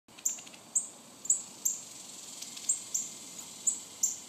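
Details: Baby northern cardinals begging: thin, very high, sharp chips repeated about once every half second, with a steady low background hiss.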